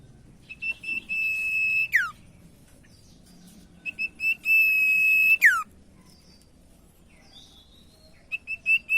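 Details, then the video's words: Common iora song used as a lure to get silent ioras singing: short high whistled notes leading into a long, steady, high whistle that ends in a sharp falling slur, given twice, with more short notes near the end. "Sirtu Macet Jadi Gacor Dengar Pancingan Burung Sirtu Satu Ini"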